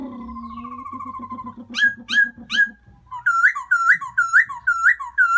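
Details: Springtime Black-throated laughingthrush calling for a new mate: a wavering drawn-out whistle over a lower buzzy trill, a few sharp notes, then looping whistles repeated about twice a second.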